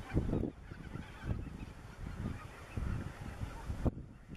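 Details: Greater white-fronted geese under the spring moon, 25 March 2013, Dannenberger Marsch, Germany, give a handful of short, muffled honks, spaced irregularly over a few seconds, against a low rumbling background.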